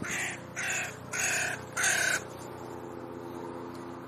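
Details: Territorial ravens, a pair again alone in their home range and bickering with neighbours, utter four loud, grating caws in a rapid, uneven series, then fall silent against a low background hum.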